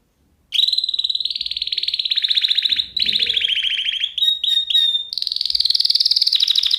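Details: Canary song played so pet birds can learn it: after a brief pause, loud sustained rolling trills change tempo and pitch, broken by short pure whistles, then a final rapid high trill.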